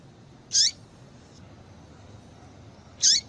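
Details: Female double-collared seedeater calling to stimulate males to sing: a short, high note dropping sharply in pitch, given twice about two and a half seconds apart over a faint steady hiss.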